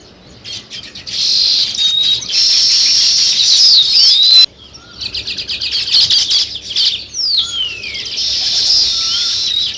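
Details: Sparrows and weaver birds in nature: bursts of shrill, thick chattering broken by brief pauses, with thin rising and falling whistles scattered over the busy flock noise.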